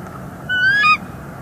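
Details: Bald eagle at its northeast Florida nest in early morning, 24 December 2020, during nest restoration; one half-second tonal squeal that steps up in pitch midway, over low background hum.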